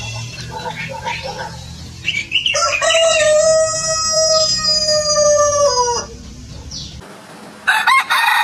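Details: A rooster crows on a chicken farm: after low farm murmur, a long, level, harmonic crow holds for about three seconds before dropping, and a brief high squawk follows near the end.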